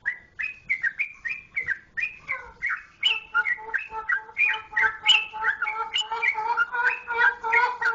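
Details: Yellow-vented bulbul (trucukan, Jogjakarta) sings a chattering stream of slurred whistles. Midway a steady pair of lower sustained tones joins in beneath the fast, rising-and-falling notes until the end.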